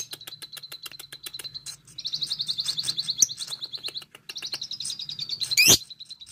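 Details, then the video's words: Lovebird calling a rival: rapid, shrill chirps repeated in quick, steady bursts at a high pitch, with a short pause mid-clip and one sharp, louder squeak near the end; a faint low hum underneath. "Lovebird Memanggil lawan"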